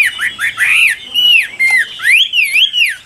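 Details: Chinese hwamei singing loudly in full form: rich, clear whistled phrases that swoop up and down, with quick repeated upslurred notes and looping, wavering whistles, loud and varied throughout.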